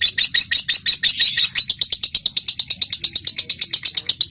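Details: Lovebird giving a prompting call meant to set other lovebirds singing, a ticking (ngetik) run into long chattering (ngekek): dense rapid high chatter at first, then crisp evenly spaced notes about six per second.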